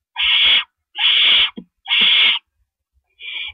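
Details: At an owl nest at night on April 4, 2012, while rabbits are carried in and out. Three strong rasping hisses come in quick succession, then a quieter fourth, with soft thuds between them.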